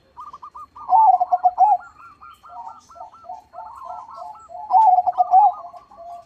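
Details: Zebra doves cooing actively with big voices. A nearly continuous stream of stuttered, bubbling coo notes, with two loud rolling phrases near the start and near the end.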